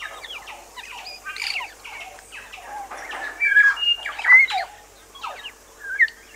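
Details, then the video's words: Bellbird song recorded on Little Barrier Island, New Zealand: dense tangle of harsh squawky notes and clear pure whistles, louder ringing tones toward the middle, irregularly spaced phrases over a low steady hiss. "Bellbird. Song. Little Barrier Island, New Zealand"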